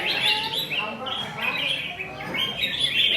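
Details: Red-whiskered bulbul, a fresh wild-caught bird still wearing wild plumage and acting aggressive, gives busy chattering chirps and short whistled phrases that rise and fall, with faint low background voices.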